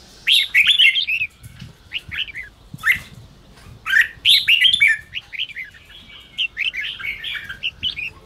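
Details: Red-whiskered bulbul singing in 'ché' style to spur weak-spirited wild-caught bulbuls; energetic bursts of fast warbled whistles with brief pauses, softer twittering toward the end, faint low background rumble.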